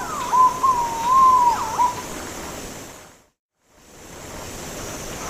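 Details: Song of a Philippine Green-Pigeon: a soft wavering whistle rising and falling for about two seconds, followed by silence.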